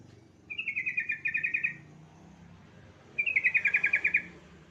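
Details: Yellow-vented bulbul singing, a lure to get other bulbuls singing: two short phrases of quick, bubbling, slightly descending notes about two seconds apart over low background rumble.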